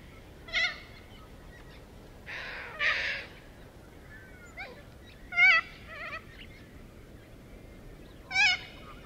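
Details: Little corellas from a flock of well over a thousand foraging on the ground and in trees in suburban Melbourne, giving harsh screeching calls in separate bursts about every two to three seconds, with a broad noisy screech near the middle.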